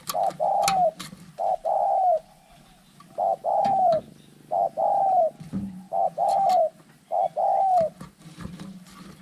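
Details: Spotted doves fighting, giving loud, hoarse cooing phrases: about six bursts in nine seconds, each a few level notes on one pitch, the last slurring downward, separated by short pauses over a low background hum.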